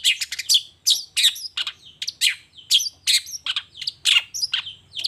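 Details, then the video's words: Long-tailed shrike singing vigorously in the morning, running through its learned repertoire: loud, harsh, clipped notes in quick pairs and short bursts, about two to three per second, steady and energetic throughout. "Suara Cendet Gacor Di Pagi Hari Toet Toet Bongkar Materi"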